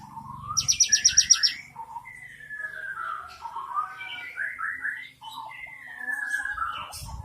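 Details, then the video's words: Cinereous tit singing a rich 'isian mewah' filled song: a loud, fast buzzy trill of about eight high notes, then a varied run of lower chirps, slurred whistles and warbles rising and falling without pause. "BURUNG GELATIK BATU ISIAN MEWAH"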